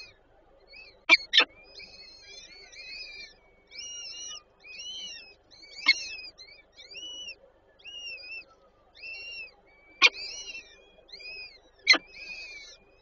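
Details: Peregrine falcons nesting in Żerań, Warsaw, 8 May 2023, the female feeding chicks; thin, short, inflected calls spaced out over thirteen seconds, punctuated by several loud sharp knocks.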